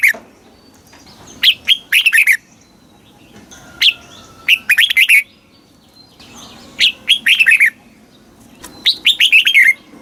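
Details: Red-whiskered bulbul singing a southern master-style song, played in Thailand to excite caged birds and tutor young ones; repeated short phrases of sharp rising then falling whistles, about five bursts in ten seconds.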